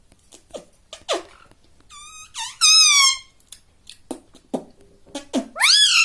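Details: Pet talking parrot indoors: scattered clicks and soft taps around a pair of long, even, buzzy voice-like tones, followed by a final upward-arching syllable.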